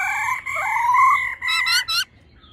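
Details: Female and male laughingthrushes, the male singing in a wild-forest voice to fire up a male bird: a long rich warbled phrase followed by three quick harsh notes.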